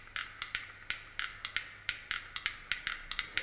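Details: Quiet room with a rapid series of sharp, irregular clicks like typing on a keyboard, over a faint low hum.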